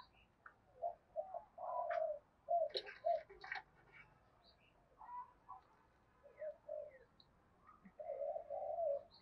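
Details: Spotted dove with a loud 'Thổ Đồng' voice, cooing in the 'thúc gù' manner: clusters of soft hooting coos, interrupted by sharp clattering knocks near the middle.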